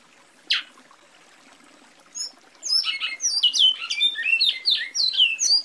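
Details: Great-billed Seed-finch, or bicudo, singing: after one sharp isolated note and a short pause, a fast, rich run of warbled whistles begins, sliding up and down through high pitches without a break.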